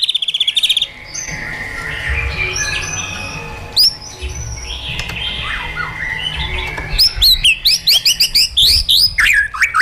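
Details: Caged white-rumped shama trained with wild-style song: varied whistled phrases and sweeping notes, then a fast run of sharp repeated chips near the end, over a low steady hum.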